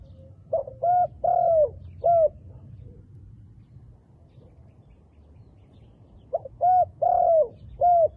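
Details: Two phrases of soft coos from a handsome wild dove with dark black feathers, separated by about four seconds of quiet: short notes, a long falling coo, a final short coo.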